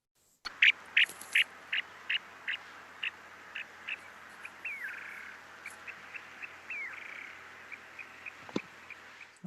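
Snowy Plover giving a quick run of short, high chipping notes, nearly three a second, broken by two slurred, down-sweeping whistles; faint background hiss.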